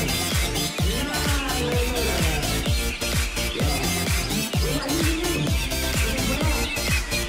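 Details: Loud electronic dance music with a driving techno beat of about two thumps per second, and no animal call is heard.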